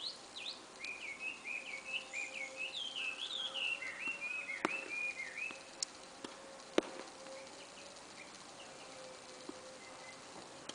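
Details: Bird singing at a tennis court in early spring: a fast, high, twittering warble of jumbled chirps and trills for about five seconds, then quiet with a faint steady background hum and a few sharp clicks.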